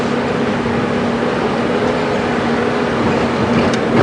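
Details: Steady engine rumble from a safari vehicle on a game drive at Djuma Game Reserve, with a low droning hum throughout and no animal calls.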